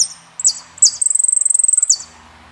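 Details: Argentine saffron finch, El peregrino song: high sliding chirps, then a fast, even trill of rapid high notes lasting about a second before a final downward slur.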